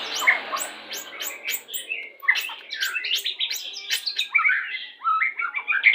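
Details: White-rumped shama 'pastol' lure song used while pairing birds to speed breeding condition: fast varied phrases of sharp clicks, chirps and short whistled notes in a dense mid-to-high jumble.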